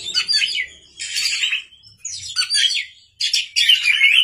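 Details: Oriental magpie-robin singing at night as a lure for other cage birds: four loud, dense bursts of high, scratchy warbling and trills, each about half a second to a second long, split by short silences.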